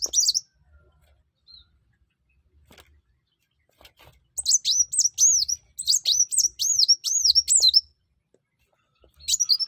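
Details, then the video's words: Sunbird singing actively, played to lure other birds into song: a long run of high, quick, looping whistled notes repeated rapidly for several seconds, opening and closing with brief bursts, otherwise quiet. "kuwul atau kolibri wulung/mucang gacor. buat burung lain pasti ikut gacor"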